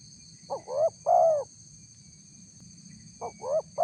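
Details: Spotted dove calling to lure wild doves. A full phrase of two rising hoots and a long hollow coo, then after a pause another phrase begins and is cut off. A steady high whine runs in the background.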